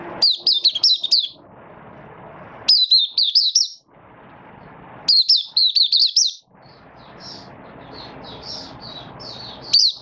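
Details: Captive Malaysian oriental white-eye in minor moult, 24 August 2023: high, rapid twittering phrases of about a second each, repeated every two to three seconds, with fainter chips between and a soft background hum.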